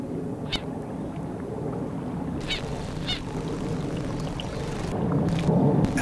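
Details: Great crested grebes in winter give short, harsh, rasping mating-season calls every second or two, half buried under the heavy low roar of an aircraft coming in overhead.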